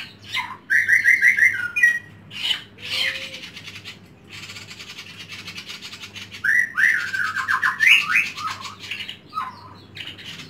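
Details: White-rumped shama kept at home in Indonesia delivers rapid trilled phrases of clear whistled notes, then pauses, then a second rising and falling warbling trill. A low steady hum runs underneath.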